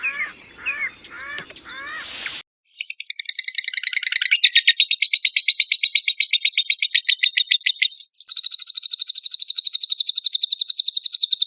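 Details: Champion lovebird in full chatty song, used to provoke other lovebirds into singing: after a brief burst of different swooping notes and a cut, long, fast, buzzy high trills run on, switching pitch and speed partway through.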